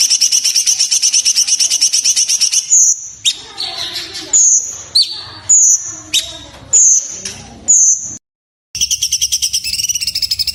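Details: Sooty-headed bulbul master song for training songbirds: a rapid pulsing trill, then a series of piercing high whistles each dropping into a stutter, a brief silence and the trill again.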